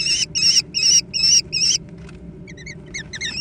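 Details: American kestrel young fighting over food: five loud, harsh, wavering screeches in quick succession, a short lull, then softer, clipped high notes picking up again.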